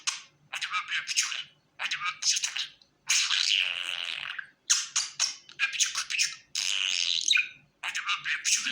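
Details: Pet budgerigar in a happy mood keeping up a rough, scratchy warble, long buzzy phrases and clipped chirps repeated in bursts about every second.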